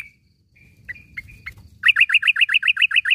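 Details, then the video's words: Morning call of a yellow-vented bulbul, used as a training recording for caged birds that have stopped singing; a few thin separate notes, then an even, rapid series of about a dozen bubbly chirps over a low background rumble. "panggilan suara trucukan di pag hari ini"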